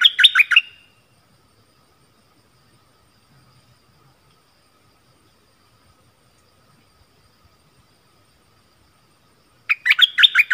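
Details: Stripe-throated bulbul song, 1 April 2021, a caged bird with wild birds nearby that would not come down: a quick gurgling phrase at the start and another at the end, with about nine seconds of quiet between.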